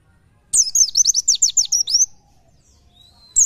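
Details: Oriental white-eye in the 'nembak nyepeed' masteran style: a dense one-and-a-half-second volley of high, rapid, sweeping chirps, followed by a faint level whistle and the start of a new burst.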